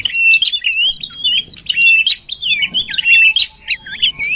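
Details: Lure sound of common iora: fast, varied high chirping and looping warbled notes delivered almost without pause, with short twisting phrases.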